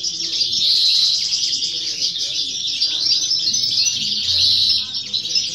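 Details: European goldfinch, a young female, singing at a 2018–2019 competition: an unbroken stream of high liquid twitters and fine trills, with low background voices throughout.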